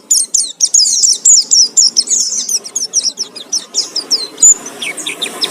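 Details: Oriental white-eye lure song used to provoke singing: a dense, rapid stream of high twittering and chirping notes, varied and run together, with brief sharp downslurred whistles near the end.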